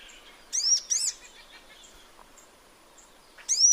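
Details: Sunbird in its natural habitat: two loud, high arched chirps in quick succession, a second of near silence with faint soft notes, then another bright arched chirp at the end.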